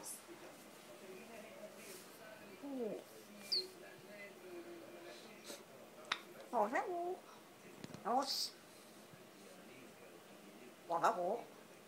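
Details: Grey parrot in a quiet room at its country home, where it likes to dance, mimicking human speech in short, voiced, word-like bursts a few seconds apart, with a couple of sharp squeaks.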